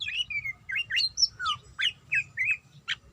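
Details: Female greater green leafbird in breeding condition calling for a male: a run of short, sharp chirps and slurred whistled notes, some rising and some falling, spaced about every quarter second, with a faint low hum underneath.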